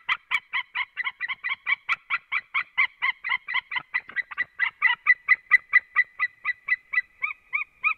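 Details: Eagle calling from its nest, recorded 6 November 2016 at 15:57; a long, evenly repeated series of short, sharp two-part yelping notes, about two or three per second, steady and close throughout.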